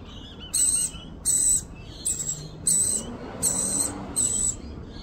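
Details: Feeding her baby, an Australian rainbow lorikeet gives six short harsh screeches in five seconds. Each is scratchy and carries a high whistled ring, and they are spaced unevenly.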